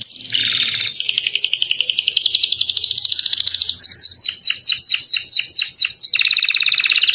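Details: Captive canary in full song, a chatty bird with a rolling 'cengkok mewah' style used as a tutor for other songbirds: long high trills, a sweeping repeated-note run, then another fast rolling trill, with barely any background noise.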